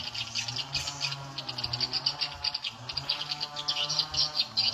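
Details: Swiftlets reacting to a broadcast attraction sound set to the nine o'clock volume mark. Rapid, rattling runs of high clicks and chirps come in pulses, with a low hum beneath.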